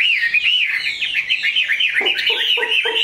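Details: Loud, continuous caged Chinese hwamei song from a tame, large bird: rolling looped whistles that dip and rise rapidly, finishing with several short harsh, lower-pitched chuckling notes mixed into the melody.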